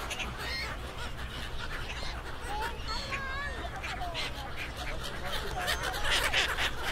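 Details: Hundreds of seagulls, perhaps close to 1000, crowd a pier at Suk Ta Bridge outside Bangkok, Thailand, while people feed them; short wavering squealing calls from many gulls rise over a dense babble of Thai voices and crowd noise.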